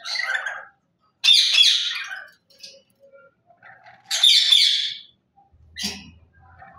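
A lory gives harsh, shrill screeches in bursts of about a second, a few seconds apart, with a quieter squawk between them, heard indoors.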